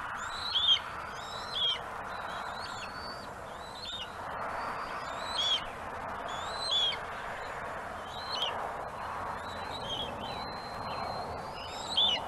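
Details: Webcam nest on Gabriola: bald eagle mantling prey, a second eagle waiting nearby to grab it; high, piping whistled calls repeat in short bursts roughly every one to two seconds over steady background noise.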